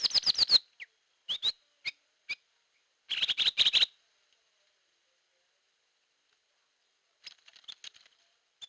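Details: Hair-crested drongo as a lure sound, opening with a quick rattling series of metallic notes, a few single chips, then a second rapid chattering burst before falling silent with faint distant notes.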